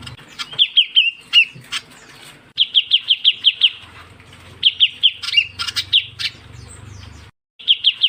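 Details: Lure call of the ciu kunyit bird: rapid runs of five to seven sharp, high, even chirps separated by short pauses, mixed with a few harsher broadband notes, over a faint low hum.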